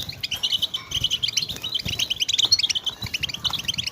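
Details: European goldfinch batbata chatter for prompting silent goldfinches to sing: quick, sparkling twitters in short clusters, rising in density toward the end, with some low background noise.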